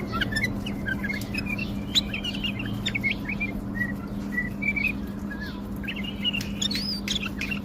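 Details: Song of a tame male bulbul from Baghdad, Iraq, performing a wing-flicking display. Quick, clear whistled notes, some rising and some falling, come in loose bursts throughout, with a constant low hum underneath.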